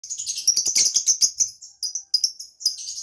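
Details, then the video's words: Lovebird song, used to lure escaped birds and to stir other lovebirds into breeding condition: rapid shrill high chirps and squeaky twitters in dense bursts, broken by short pauses. "KICAU LOVEBIRD MANTAP.., BUAT PANCINGAN ATAU MANGGIL BIRAHI LOVEBIRD LAIN"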